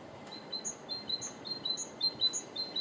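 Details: Great tit singing, recorded 2 April 2014: high, thin two-note phrases repeated quickly, a squeaky note paired with a sharper upper note, over a steady broad background hiss.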